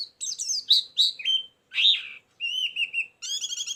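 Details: Bird-trapping lure of white-eye song with filler: descending sweet warbled notes, a buzzy burst, a flat whistle, then a bright run of high twitters.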